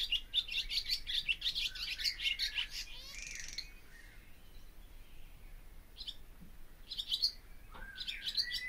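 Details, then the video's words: Barn swallow (Hirundo rustica) song: a quick run of high twittering chirps for about three seconds, then a pause and further short twitters and a rising whistled note near the end; quiet background otherwise. "O canto da ANDORINHA-DAS-CHAMINÉS/BARN SWALLOW SONG"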